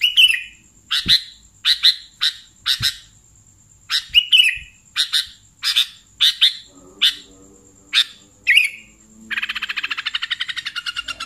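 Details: Sooty-headed bulbul lure call for catching bulbuls: spaced sharp chirps and warbled slurs at steady intervals, then a fast buzzy rattling series; a faint constant high tone runs throughout.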